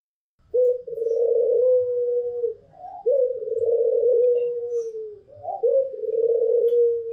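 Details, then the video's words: A Barbary dove, either a white pelung or a local dove, gives three low, drawn-out rolling coos, each about two seconds long with a short rising note before it, in a quiet room. "SUARA PUTER PELUNG PUTIH DAN PUTER LOKAL"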